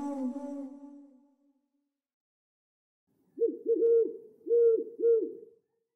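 An owl gives a quick run of five soft, hollow hoots in about two seconds, after a fading low tone at the start.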